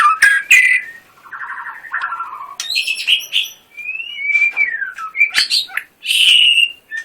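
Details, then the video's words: White-rumped shama song mixing a buzzy rattling trill, high sharp notes and smooth descending whistles, with short pauses between phrases. "Murai batu gacor full tembakan"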